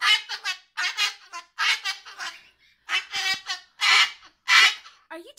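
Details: An umbrella cockatoo, seemingly jealous while its owner holds a sulphur-crested cockatoo, screeches at it in loud, harsh, raspy bursts, about one or two each second, broken by short pauses.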